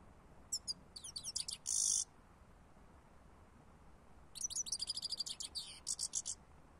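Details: European goldfinch song recorded for use as a bird lure: two bursts of fast, high tinkling twitters mixed with buzzy, drawn-out notes, separated by a two-second pause. The background is quiet apart from a faint low hiss.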